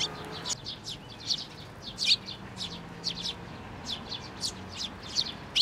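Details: Sparrows landing on a hand to take food at a Tenmangu shrine, May 2024; quick clustered high tweets, some doubled, over a low constant hum.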